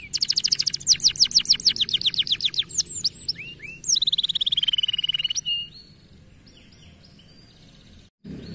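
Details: Juvenile canary singing: rapid high trill of curved notes, then a long buzzy falling note with fast pulses, after which the song drops to faint distant twitters.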